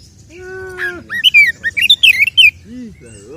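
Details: Oriental magpie-robin fighting song used as a lure to raise male aggression; a low steady tone opens, followed by a burst of varied bright slurred notes and two soft low swooping sounds.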